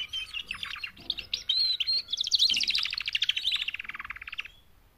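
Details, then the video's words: Four female canaries give a mating call meant to motivate males to sing: fast rolling trill that climbs into a dense buzzy stretch, then drops lower as evenly pulsed notes before fading out. "BEST mating call 4 females canary EVER to MOTIVATE your CANARY to sing LOUDLIER"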